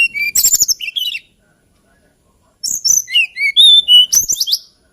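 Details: Song of the hill blue flycatcher, a Javan and Bornean songbird: two rippling phrases of high, clear whistles that rise and fall, separated by a second of silence, the second phrase longer and more varied.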